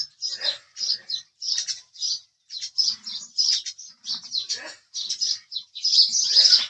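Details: Series of short, sharp house sparrow chirps, roughly two to three per second, some dipping slightly lower, ending in a louder run of overlapping chatter.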